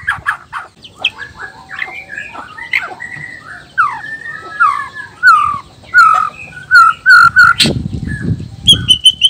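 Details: Song of a male white-rumped shama, black-tailed Nias type, meant to stir rival males into singing: varied whistled and slurred notes, rapid high ticks near the end, and a brief rumbling noise.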